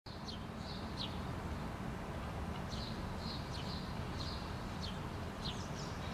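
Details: House sparrow parent with her two fledglings, foraging together on rocky ground in Helsinki, Finland, in June 2013; short high chirps and quick downslurred notes come in loose bursts over a steady low rumble.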